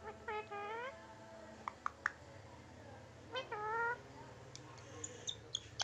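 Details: Indian green-neck parakeet, a tame pet bird, voicing cat-like meows: one bending mew near the start, a few sharp clicks, then a second longer meow, with soft ticks afterwards.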